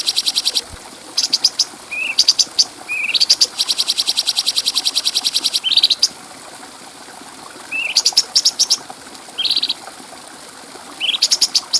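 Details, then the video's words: Bulbul song for training other birds, recorded clearly. Repeated bouts of rapid high ticking, one lasting about two seconds, are broken by short low-rising slurs and buzzy phrases. "Masteran Burung Cucak Cungko Suara Jernih"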